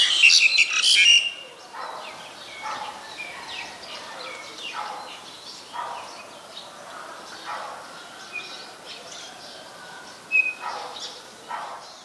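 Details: Black-collared Starling in Ubon Ratchathani, Thailand, on 2 January 2020 gives a loud burst of harsh, chattering notes, then softer scattered whistles and squeaks at an uneven pace.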